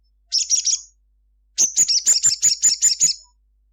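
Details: Midday song of a crimson sunbird singing vigorously: a brief jumble of high twitters, a pause, then nine sharp, evenly spaced high chirps, roughly five per second.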